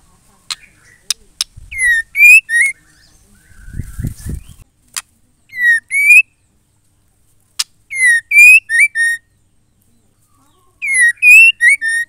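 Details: Female white-rumped shama calls used to encourage male song. Short series of three to four buzzy, bent notes repeat several times across the stretch. Sharp clicks and a brief low rumbling sound are heard between them.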